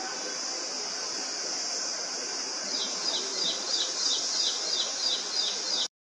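Ashy prinia giving a run of quick, high, slightly down-slurred notes, about three per second, over a steady shrill insect drone.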